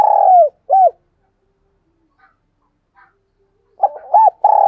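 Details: A decoy dove luring wild birds gives a long falling coo and an arched note. Near-silence follows with faint soft sounds, then a fresh burst of quick arched coos and a sustained note.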